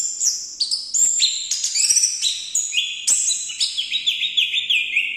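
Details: Orange-headed thrush singing a rich, fast string of whistled notes that jump between high and middle pitches, ending in a rapid run of repeated slurred phrases.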